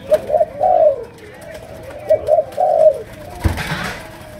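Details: Malaysian spotted dove giving chiêu gù, sấm đồng cooing: two phrases of short coos leading into a longer drawn-out note, followed by a sharp knock and quiet room noise.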